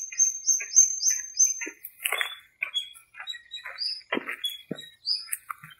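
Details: At dawn in a small park during breeding season and the rainy season, birds give a fast series of high thin whistled notes, then mixed harsher chirps and short clicks from several birds calling at once.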